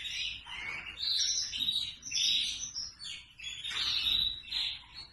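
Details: Red factor canary singing a fast, continuous warble of high, bright twittering phrases with rapid trills and short whistled notes, rising and falling in loudness across the passage.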